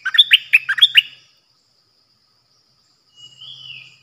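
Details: Decoy bulbul recorded 8 May 2021 giving a fast, jumbled phrase of about eight bright, warbling notes, followed by quiet and a faint, long, wavering whistle; a low hum sits underneath.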